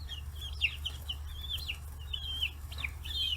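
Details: Chicks aged 40 days crowding around fish heads on a free-range farm in Kitahiroshima, Japan; scattered high peeps, some drawn out and wavering, others short and falling, over a low hum.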